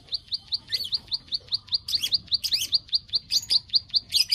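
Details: Bar-winged prinia used as a lure to bring birds into breeding condition: a steady run of sharp high clicks, about two and a half per second, with a few buzzy chirps layered over the series.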